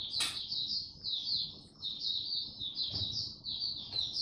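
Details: Quieter passage from a young white-eye's developing song, 09-02-2022: steady high, thin twittering in short rolling phrases, interrupted by a few brief clicks or knocks.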